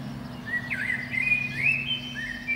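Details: Eurasian blackbird singing from the top of a pine beneath a window on a spring morning, a protected species. Its warbled, fluting phrase slides up and down, set against a steady low hum.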